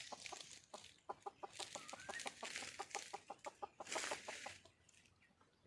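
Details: Red junglefowl hen in the wild calling for a mate: steady, rapid, low clucks repeated throughout, with a loud buzzing insect chorus rising and falling behind.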